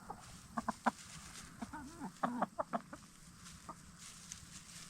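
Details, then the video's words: Backyard hens, black star and Bielefelder breeds, in their chicken tractor at nightfall; a run of short clucks and brief wavering murmurs, some louder pulses, over a low hum. "Relaxing Hen Sounds - Chickens In Chicken Tractor"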